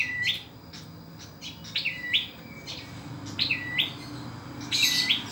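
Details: Ashy tailorbird from Indonesia, small yet loud, in full voice: sharp upward-sweeping chirps, often in pairs, repeated roughly every second over a steady low hum.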